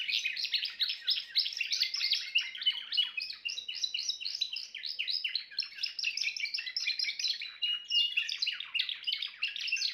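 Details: Unbroken Timbrado canary song: fast, tightly packed trilled notes repeating in rolling bursts at high pitch for the whole stretch, with no other noticeable sounds.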